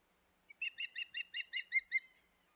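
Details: At the Hog Island nest on 25 May 2021, an osprey utters a short lead note and then eight clear, high, slightly slurred chirps in steady succession, clean background.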